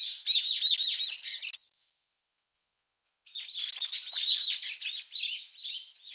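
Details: Brown-eared bulbul chicks being fed in the nest by a parent give a dense, high, scratchy chorus of rapid chirps, breaking off briefly before resuming just as busily.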